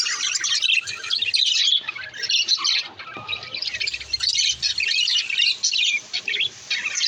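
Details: Breeding budgerigars give bursts of loud squawks and fast chirps, then short lulls, then renewed chattering, with several voices overlapping in a high, scratchy jumble.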